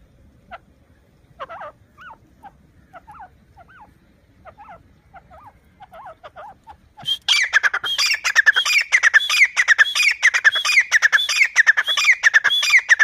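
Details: Grey francolin, a family playing in loose mud: a few faint, spaced notes, then a sudden dense burst of loud, harsh, repeated calls with rising and falling notes, running fast and unbroken to the end.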